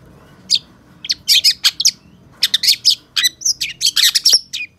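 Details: Long-tailed shrike pouring out bursts of harsh, scratchy chirps and high notes in dense clusters, broken by short pauses, with no other sounds standing out.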